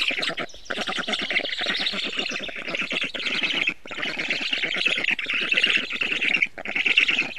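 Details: Black stork giving a long, hoarse, pulsed rasping series, fast grating beats that continue for seconds, broken by a few short silences, with no other clear sounds.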